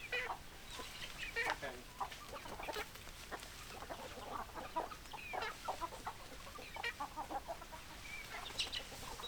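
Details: Hens clucking in a busy run of short, choppy notes, some sharper squawks among them, over a steady background hiss.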